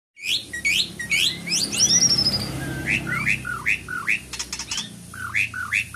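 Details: Asian pied starling (jalak suren) from Indonesia singing a lively run of loud, sharp upslurred whistles and down-curving chirps, roughly two or three notes a second, mixed with brief scratchy buzzes and clicks.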